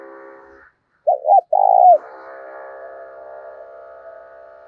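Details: Spotted dove kept as a decoy, singing in the 'thổ đồng' style to provoke rival doves: a brief droning hum, then a clipped double note and a sustained mellow coo, with the buzzy drone returning afterward.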